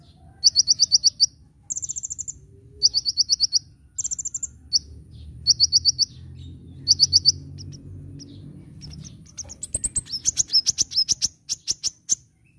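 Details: Kolibri ninja sunbird in gacor nyecret nembak style, a recording meant to train cage birds: evenly spaced bursts of shrill rapid chirps, then a denser, faster run of high ticking notes near the end.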